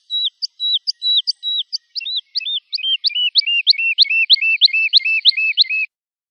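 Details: Lark song used to train young birds: a phrase that starts with separate high flicks and level whistles, then speeds into a tight, regular run of rising and falling note pairs before stopping abruptly.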